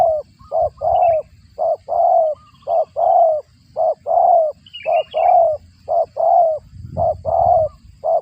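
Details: Spotted dove calling while feeding chicks, described as sounding like a cricket. Quick series of low, husky coos, long and short notes alternating about once a second, with faint high chirps now and then.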